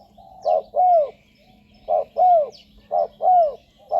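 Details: Spotted dove call for drawing wild doves to ground, branch or trap-cage decoys; three phrases each of a short coo then a longer falling, curved coo, roughly one phrase per second and a half, over a soft steady hum.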